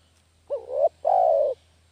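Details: Single coo phrase of a spotted dove, a lure sound for catching doves: a short upswept note flowing into a mellow tone, then a longer level coo lasting about half a second, low hum in background.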